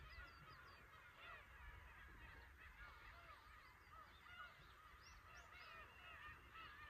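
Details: Crowd of Black-tailed Gulls calling at Horozuki fishing port, Imabetsu, Aomori, Japan; a steady chorus of nasal, rising-and-falling mews over constant wave noise.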